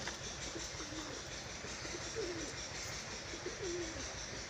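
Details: Domestic pigeons at a home loft, where some birds laid eggs today, coo low and soft with dipping pitch, repeating every second or so over a steady hiss; they are calling a lot.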